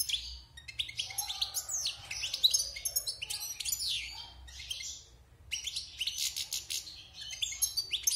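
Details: Singing European goldfinch, wild-caught and kept caged six months after moult: rich tumbling phrases of high chirps, trills and nasal buzzes, broken by one short pause before resuming.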